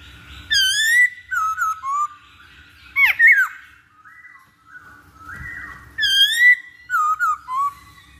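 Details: Masked laughingthrush lure recording meant to make birds start singing: loud, slurred whistled phrases rising and falling, rich and ringing, delivered in clusters of three to four notes with quiet gaps, over a faint low hum.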